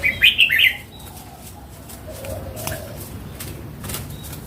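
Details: An old wild red-whiskered bulbul sings one cheerful, rapid phrase of three or four rolling notes at the outset. The rest is quiet background with a few faint distant chirps.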